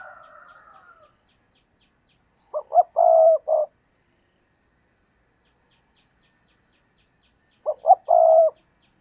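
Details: Spotted dove kept as a decoy to attract wild doves gives two low cooing phrases, each two quick notes, one sustained croon and a short closing coo. A fainter, higher bird call is heard at the start.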